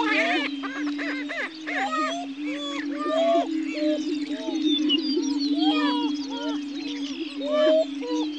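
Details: State-endangered greater prairie-chickens on a lek at Dunn Ranch Prairie, Hatfield, Missouri, give a continuous deep moaning boom beneath rapid overlapping cackles, squeals and hooting whoops, several birds calling at once.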